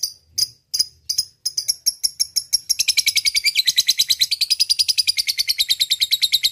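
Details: Lovebird used as a rival-calling lure: a few scattered sharp chips speed up into a continuous rapid rattling chatter, harsh and buzzy, several notes each second.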